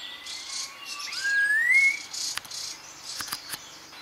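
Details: Red-tailed laughingthrush producing a clear whistle that slides steadily upward, with soft high hissing and a few sharp clicks in the background.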